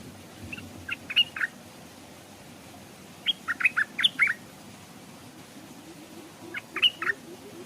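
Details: Stripe-throated bulbul decoy hung near a stream; three clusters of liquid, chattering notes with the loudest group in the middle, separated by quieter gaps of about two seconds.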